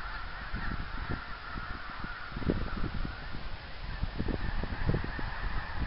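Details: A flock of geese honking as they fly, recorded 24 January 2010; low calls build and thicken in the second half over steady background noise.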